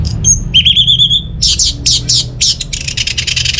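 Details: Orange-headed thrush, played to prompt quiet birds at home into song: a few high pure whistles, a long quavering whistle, then loud broad buzzy rasps in quickening rhythm ending in a rapid chatter.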